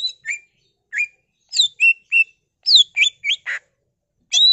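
A greater green leafbird sings a lively string of varied phrases: bright whistles, rising and falling slurs and a few harsh notes, in quick, irregular bursts.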